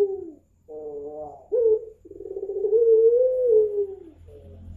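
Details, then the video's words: A white ring-necked dove in Pandaan, East Java, gives soft, low coos: a short note, a brief pause, then a long rolling coo that rises slightly and falls away. "Puter Pelung putih - burung puter"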